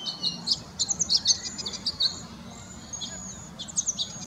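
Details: {'caption': 'Flock of about 35 cedar waxwings perching and calling in a very bare tree while searching for scarce berries; very high, thin lisping seeps and trills overlap in bursts, then go quiet before a few more thin notes at the end.'}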